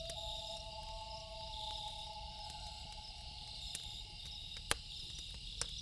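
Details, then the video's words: Loon wailing at night: an even, prolonged tone that fades after about two seconds. Crickets buzz steadily and a campfire crackles with a few louder pops. "1 Hour Loon Calls With Campfire Sound - Loon Calls For Relaxing"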